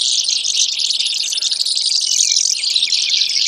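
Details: Brewer's sparrow singing a steady, high, fast-pulsed buzzy trill that runs without pause through the whole stretch.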